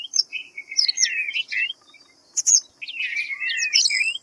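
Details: White-browed fantail (Rhipidura aureola) giving a bright, jumbled series of high whistled notes and twittering phrases, rising and falling, in two bursts separated by a short pause, with a brief sharp chip between them.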